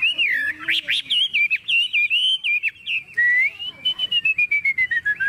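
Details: Chinese hwamei kept in a cage, carried by hand and swung while in full song: rich, rapid warbled whistles running together, then long steady whistled notes and a quick series of repeated chirps.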